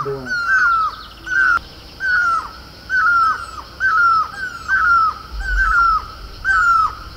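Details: Himalayan or Great Barbet, the mewli of Garhwal, on horse chestnut blossom in Uttarakhand, gives a steady series of ringing, slightly falling two-part notes, roughly one per second, with faint background hiss.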